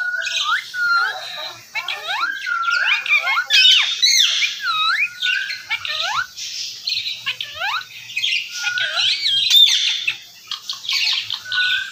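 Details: Indian ringneck parakeet kept as a talking pet, Urdu/Hindi words: a long string of quick hooked whistles and scratchy syllables, pausing briefly, then fainter chatter.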